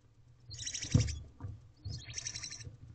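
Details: Hungry barn owl owlets begging around their mother inside a nest box at 4:34 am on 20 April 2023; two rasping, hissy screeches, each about half a second to a second long, over low thumping and shuffling in the box.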